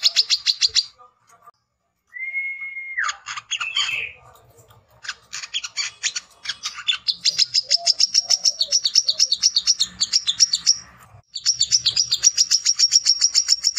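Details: Rapid, high, chattering song of a male brown-throated sunbird challenging rivals: long runs of quick, evenly repeated sharp chips, broken by a flat whistle that falls abruptly and by short pauses.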